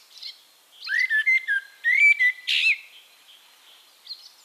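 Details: Eurasian blackbird from Castricum, the Netherlands, delivering a single loud phrase of mellow, slightly descending flute-like whistles closed by a scratchy high chuckle, with quieter birds faintly audible afterwards.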